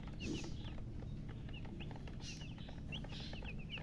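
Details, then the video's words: Newly born chicks call with spaced, thin high chirps, sometimes in quick pairs, over constant low background noise. "Tot Murgi chicks chirping sounds Just Born Baby Gallina FRACAS Chicks Piar Loudly Sound"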